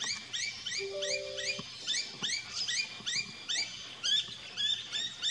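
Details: Noisy miner calling in a backyard garden in Australia, giving a steady stream of bright, upward-flicked notes, roughly two to three per second, with a brief low hum partway through.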